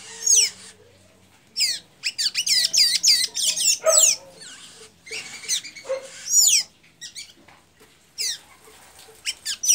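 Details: Blue-gray tanager singing in Santa Inês, Maranhão, Brazil: bursts of high, squeaky, looping notes in quick strings, separated by short pauses, with a faint low hum beneath.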